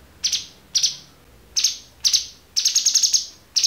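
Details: Cucak cungkok recorded as a clear-voiced training song for other songbirds; sharp high chirps come in short bursts about every half second, ending in a quick stuttering run of rapid notes.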